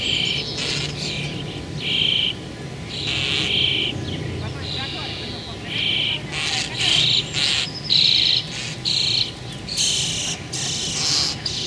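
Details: Common starling, one of a pair nesting in an apple tree beside a house, gives harsh, rattling bursts mixed with short, thin whistles in quick spurts every second or so over a low steady hum.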